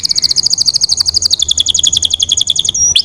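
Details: Canary trill: a very fast, steady run of bright repeated notes that drops slightly in pitch midway and stops abruptly, followed by a single upslurred note.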